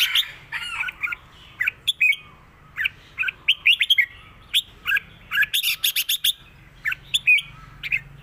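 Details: Red-whiskered bulbul kept as a cage bird, delivering the Thai southern-style "rik" song: a dense, steady run of short liquid whistled notes and chirpy phrases, with a brief crackling burst midway and a faint low hum behind.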